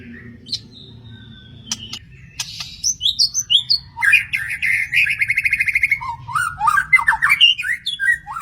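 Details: Wild magpie-robin opening with a few sharp whistles and clicks, then launching into an energetic song of rapid buzzy trills and varied rising and falling whistled notes.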